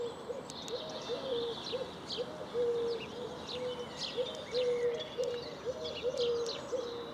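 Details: Many Eurasian collared doves (Streptopelia decaocto) coo steadily in low, soft, overlapping phrases near a village church and pub amid big open fields, Cambridgeshire, England, on a reasonably sunny, still 24 March 2022 afternoon; small birds chip and twitter above.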